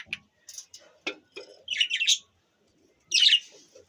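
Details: Budgies chirping, pet birds: short scratchy chirps and a few clicks, then a louder warbled burst and a harsh chatter near the end, with quiet gaps between.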